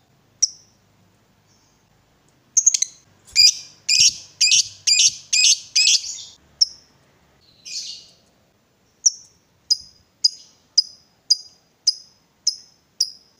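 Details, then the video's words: Caged lovebird, provoked and excited, giving sharp high chirps then a burst of harsh rapid chatter notes, followed by evenly spaced single chips about every half second. "Lovebird diam langsung Nyambar, Emosi Naik Gacor Ngetik Lanjut Ngekek"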